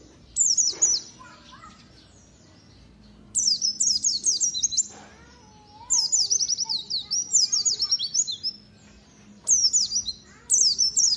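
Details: A white-eye (pleci), described as a promising competition bird, sings bursts of rapid, very high, thin twittering lasting one to two seconds, separated by short pauses, over a faint low hum.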